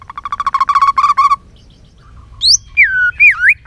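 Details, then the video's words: White-rumped shama in varied many-voiced song: a fast stuttering burst of about a dozen short notes, a pause, then a sharp high upslur and looping, swooping whistles. "Kích Chòe lửa hót nhiều giọng"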